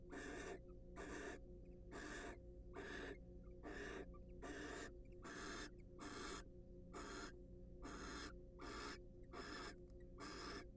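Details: Wild barn owls sharing a preening and courtship moment in a nest box; a steady run of thirteen rasping hisses, fairly regular at just over one per second, above a low constant hum.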